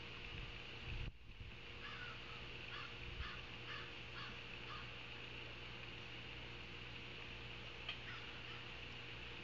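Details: Live nest-camera sound from Savannah ospreys, 9 August 2023, 16:05: a brief thump, then a burst of quick high chirped notes over a couple of seconds and one later squeak, all above constant hiss and hum.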